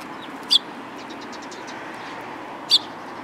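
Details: Eurasian tree sparrows coming close to be fed on the front approach of a Tenmangu shrine, 10 April 2022; two sharp, loud chirps about two seconds apart, with faint scattered chirping between them over a steady low background hum.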